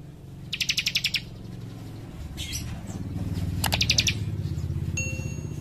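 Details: Young leaf warbler (cikrak) singing eagerly in close-packed bursts: a fast trill of high, sharp notes, then a later brief burst, over a loud low rumbling hum like an engine.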